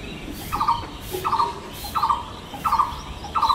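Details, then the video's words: Blue-throated barbet heard from a balcony, where it is common, repeating a throaty, rolling mid-pitched note about every 0.7 seconds in a steady rhythm over faint background hiss. "The distinctive call of the Blue-throated Barbet"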